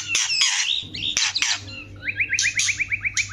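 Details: White-rumped shama, female and male answering each other, kept birds: loud rich whistles and harsh chattering bursts, ending in a fast series of short repeated rising notes; steady low hum underneath.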